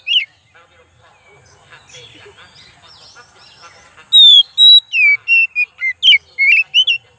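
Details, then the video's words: Kacer, the oriental magpie-robin, heard as a lure: quiet chatter and faint calls at first, then a rapid series of about ten loud whistled and slurred notes. "pancingan kacer"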